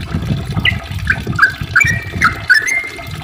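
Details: A few scattered, liquid chirps from a yellow-vented bulbul, meant to coax other bulbuls into singing, over a soft low rumble.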